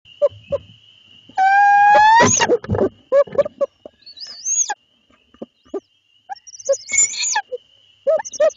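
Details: A male and female barred owl call to each other at night in Lebanon, Connecticut, as he delivers small mammals to his mate, with three owlets to feed. A rising, harmonic squeal is followed by broad rasping bursts, short clipped notes and a high rising whine, over a steady high hum.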